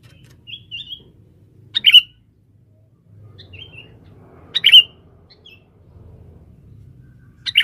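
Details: Male sooty-headed bulbul set out as a lure in the forest for trapping females, alternating soft warbled whistles with three loud, abrupt chirps spaced nearly three seconds apart, over a faint low murmur.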